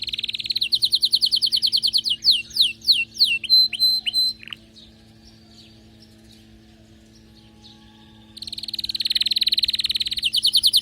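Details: An excited canary delivers rapid repeated notes, sweeping phrases and falling whistles, goes quiet for several seconds, then resumes with a fast rolling trill.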